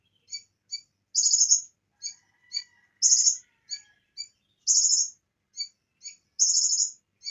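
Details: Bar-winged prinia singing on a master recording mixed with cililin song: paired thin chips followed by a dense, high buzzing trill, the pattern repeating about every one and a half seconds, faint lower whistle underneath.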